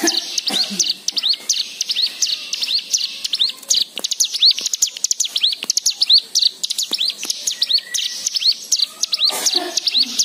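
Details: Lure recording of a white-eye singing to coax other birds into song, with varied fill-in phrases: a continuous stream of thin, high, upswept chirps delivered rapidly and densely.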